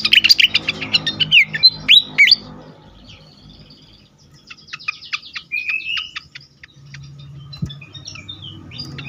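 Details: Agitated fantail, recorded for luring and stimulating other birds: a loud burst of sharp, high chirps and quick upslurred notes, then quieter scattered ticks and a short rising whistle, over a faint low hum.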